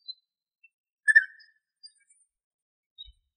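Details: European bee-eater (Merops apiaster) pair, male and female, singing in Greek nature: a single rolling, liquid call near the middle, with a few faint high chirps before and after in otherwise quiet surroundings.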